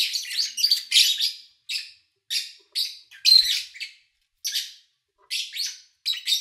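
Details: Lovebirds chirping in early August 2019, with engine and human sounds largely absent: loud, grating chirp bursts, several in quick succession, then an irregular pattern with gaps of a second or more.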